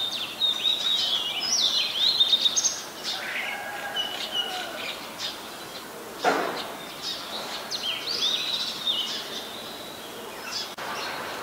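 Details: Chattering and squawking from a White-vented myna in Ubon Ratchathani, Thailand, 29 December 2019: busy harsh notes and whistles, loudest early on, broken by a single broad crackle in the middle.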